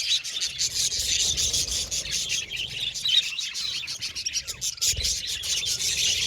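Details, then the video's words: Budgie flock chirping: dense, high, scratchy chatter with rapid pulsing tweets and a few clear whistled notes rising above the noise, continuous and lively. "Budgies Chirping Sound"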